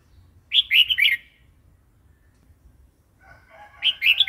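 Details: Red-whiskered bulbul wild-style song, phleng pa, used to entice new birds and teach chicks: a quick bubbling run of warbled notes, a silence of over two seconds, then another chattering phrase over softer background calls.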